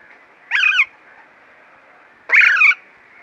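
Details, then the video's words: Alexandrine parakeet giving two loud, harsh, rolling screeches about two seconds apart, each about a third of a second, over a faint steady background hiss. "Alexandrine Parakeet"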